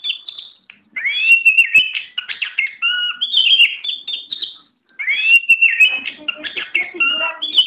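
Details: Tame oriental magpie-robin delivering long rich song phrases: rising slurred whistles, quick chattering runs and a lower clear note, with one pause before the next phrase.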